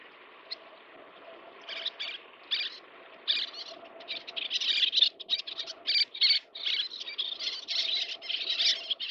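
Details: Little terns, whose adults feed chicks, give harsh, high, chattering calls in short bursts that come faster and denser toward the end, over a faint steady background hum.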